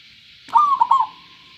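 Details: Local zebra dove giving one clear phrase: a drawn-out bright note followed by two quick rolling coos, ending in a fading tail.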